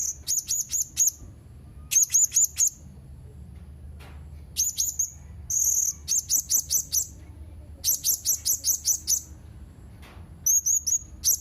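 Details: Blue-crowned hanging parrot calling persistently, with rapid runs of three to six thin, shrill, squeaky notes in quick succession, sometimes merging into fast chattering sequences.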